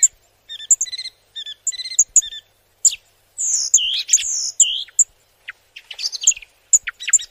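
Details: Flowerpecker calling: sharp, high, thin chirps in quick clusters, some with stacked bands, then longer slurred whistled notes that bend up and down, delivered in irregular bursts with short silent gaps.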